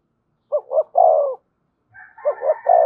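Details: Spotted dove in the thổ voice, thúc and kèm styles: a low phrase of two short notes and a long falling coo, then a second phrase overlapped by a higher, drawn-out tonal sound.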